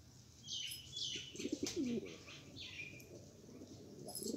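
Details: Rare pigeons described as Australian. A short, low, wavering coo is heard near the middle, among higher chirping bird calls and soft wing flutters.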